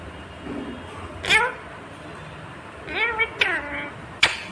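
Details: Indian ringneck parakeet talking, imitating the words "mummy papa": a few short, voiced, speech-like syllables, one early and a cluster of two or three later, ending in a sharp click, over a quiet indoor background.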